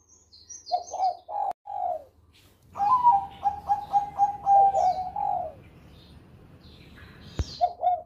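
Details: Champion Bangkok zebra dove with a melodious Susi Susanti style song: a few spaced coos, then a long, fast series of rolling, evenly pitched coo notes, a lull, and more coos after a click.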